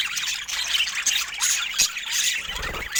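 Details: Budgerigars of rare colour mutations in a busy group, giving a steady wash of warbling and sharp squeaky notes. Several thin whistled pips stand out, and a faint lower thump is heard near the end.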